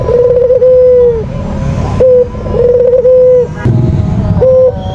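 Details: Kept white Barbary dove calling to lure other doves, with low coos of a short note plus a trilled, held tone falling at the end, repeated twice and starting a third, over faint background rumble.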